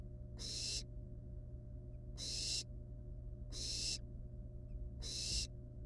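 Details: Wild barn owl nestlings at the nest with a live rat brought as prey, playing with it before killing and eating it; harsh broadband hisses about half a second long, four in six seconds, over steady low hum.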